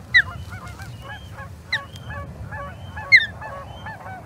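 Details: Osprey at the Charlo nest on 21 April 2022, calling during skirmishes with an intruding third osprey: sharp, high, downslurred chirps at roughly 1.5-second intervals over a steady stream of fainter, rapid piping notes and low background rumble.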